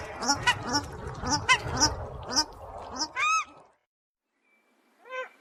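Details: Paradise Shelduck, a New Zealand endemic; males give loud honking alarm calls, females higher-pitched. Loud, harsh honks about once a second, several birds overlapping, ending in a drawn-out call and a final higher honk after a pause.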